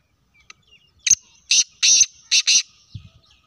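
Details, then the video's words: A black francolin gives a harsh, grating call of five loud, creaky syllables in quick succession, with the last two paired closely together. "Kala teetar ki awaz"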